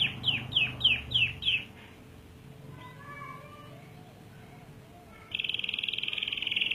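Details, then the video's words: Canary giving an energetic, long rolling song: five quick descending whistled notes, a pause with soft faint chirps, then a dense, rapid buzzing trill that starts abruptly and keeps running. "Suara burung kenari gacor ngerol panjang"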